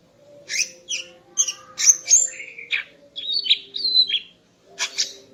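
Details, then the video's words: Morning song of a female greater green leafbird, meant to arouse the male: quick varied chips and whistles, a slurred warble and high thin notes in a rapid jumbled run, over a steady low hum. "Kicau Burung Cucak Ijo Betina Pagi Hari untuk Naikkan Birahi Cucak Ijo Jantan"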